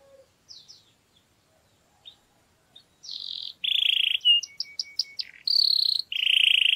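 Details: Canary song to stimulate females before mating: a few faint scattered chirps, then loud sustained rolling trills at varying pitches, broken by short sharp high notes.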